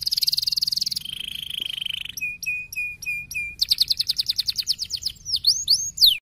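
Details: Canary singing fast, packed 'gacor speed rapat' phrases: a loud rattling buzz, a level whistle, a few separate sharp notes, a fast dense trill, and sweeping V-shaped notes to finish.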